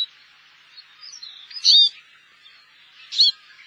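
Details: Eurasian siskin, a winter visitor wintering in Korea: two bright, high twittering call notes about one and a half seconds apart over soft, continuous high chatter.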